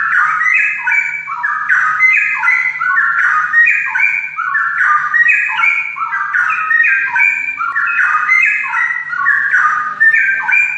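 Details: Straw-headed bulbul singing continuously in loud, rich, bubbling warbles that step up and down in pitch. The phrases flow together without pauses, and a faint low hum sits underneath.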